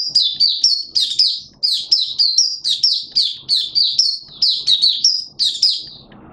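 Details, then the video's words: Malaysian Oriental white-eye in open song as a kept bird, pouring out high, sweet, rapid chirp phrases in steady bursts, with faint clicks and a soft hiss at the close. "Malaysian Mata Puteh Buka Sing"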